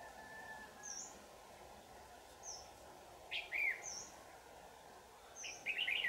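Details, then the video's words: Fierce 'Lưng tôm' red-whiskered bulbul, tail fanned, during trapping on 4 January 2018 in Dak Lak: two short, sharp chattering bursts about two seconds apart, with high thin whistles repeating in the background over a steady hum. "Bẫy chào mào Lưng tôm hàng căng xòe"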